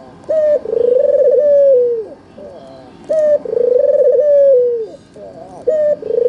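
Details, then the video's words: Red-eyed albino Barbary dove, kept to prompt other doves into calling: repeated coo phrases about every two and a half seconds, each a brief sharp note then a long vibrating, descending coo. "Pancingan AMPUH suara burung puter putih mata merah-Obat MANJUR untuk burung puter yang malas BUNYI"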